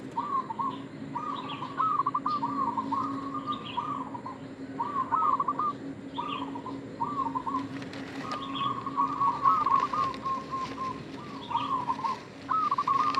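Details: Local zebra dove (perkutut lokal), an actively singing bird whose voice is used as a lure or bait to draw other doves. It gives a steady series of warbling, trilled mid-pitched coo phrases, one after another, over a faint constant hum.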